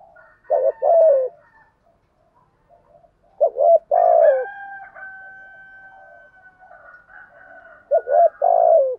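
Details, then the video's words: Urging coo of a spotted dove, used to stimulate other doves. Three phrases each open with short clipped notes and end in a longer low coo. A long, even, whistle-like tone hangs between them. "chim cu gáy thúc gù đủ sách bổi nghe ăn lại ngay"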